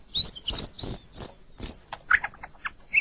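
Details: White-rumped shama song for training captive songbirds: several loud high squeaky notes about twice a second, then softer scattered chips and clicks.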